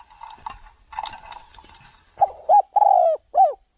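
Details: Decoy spotted dove taken to another province to lure wild doves; after a murmur of low background noise, a crisp phrase of short coos and one long husky coo ends the clip.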